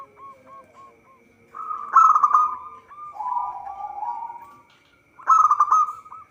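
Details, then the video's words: Local zebra dove singing vigorously for use as a trapping lure: a few soft spaced coos lead into a loud rolling burst, a long wavering cooing trill, then another loud rolling phrase. "Perkutut lokal gacor suara cocok untuk pancingan"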